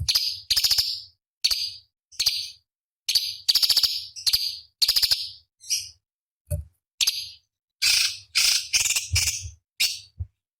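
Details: Cucak cungkok bulbul song meant as master material for contest birds: series of scratchy, buzzy chatters, then sharper, more varied chips and rasps toward the end.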